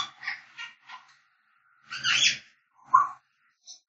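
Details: Whistling African grey parrot: a run of short chattering notes, then a loud raspy squawk, a lower clear whistled note and a faint high chirp at the end.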